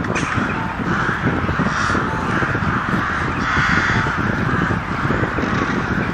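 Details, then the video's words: Flock of crows making a loud cawing commotion, harsh calls overlapping continuously over a rumbling low background noise. "Crows making Noise | Crows Cawing"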